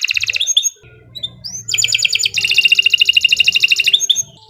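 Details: Canary song used to coax other canaries into singing, with fast stuttering notes, a rising whistle, then a long rapid trill of rhythmic pulses ending in short upward slurs; faint low hum beneath.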